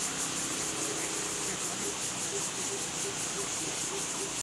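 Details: Lesser coucal giving a steady series of deep, hollow hoots, about three per second, against a loud hissing insect chorus.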